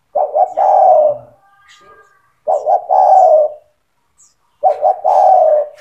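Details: Spotted dove singing in gacor style, meant to coax young doves into calling: each phrase two clipped coos followed by a long drawn-out coo, three phrases spaced about two seconds apart, a faint whistle between them.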